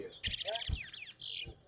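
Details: Chestnut-bellied seed finch (towa towa) singing in a live competition against another bird, with its songs counted aloud. A quick run of bright twittering and slurred notes ends in a high, hissing buzz, over a man counting numbers.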